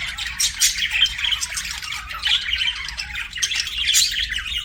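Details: Busy budgerigar chirping, a stream of rough squawky chirps and warbled notes rising and falling in loudness, no pauses.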